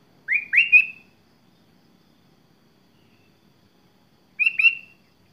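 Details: Sooty-headed bulbul singing a varied song: two short rising whistled phrases, a long silence, then a similar rising phrase near the end, with a quiet background.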